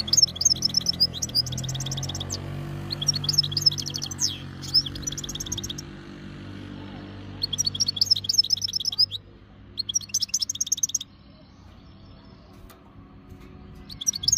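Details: Breeding-ready European goldfinch (meqnin) from Jijel, Algeria. Long stretches of fast, liquid twittering with buzzy pulses, broken by brief pauses and resuming in several bursts, over a low hum.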